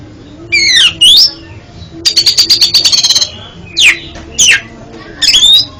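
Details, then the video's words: Kept oriental magpie-robin singing for stutter therapy: steep downward whistled sweeps, then a rapid run of about ten clipped notes over a steady whistle, followed by more sweeping whistles and chips. "TERAPI KACER ANDA YANG GAGAP BUNYI JADI JOSS KICAUANNYA"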